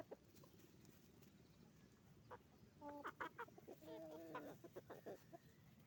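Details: Roosters and hens on a chicken farm making noise: a quiet, steady barn hum, then a burst of short, harmonic squawks and clucks in the middle, overlapping one another, fading to scattered clucks near the end.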